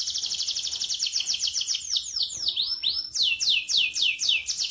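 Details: Canary singing in a rolling style, meant as a lure for canaries that have stopped singing: fast buzzy high trills repeated several times a second, broken midway by a few slurred upward whistles before the rapid rolls resume.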